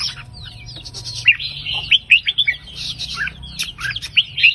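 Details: Red-whiskered bulbul singing the counting-style line of 3-4-5 phrases, meant to rouse listening birds: scattered chirps, then a lively sequence of bright whistled notes over faint background rustle.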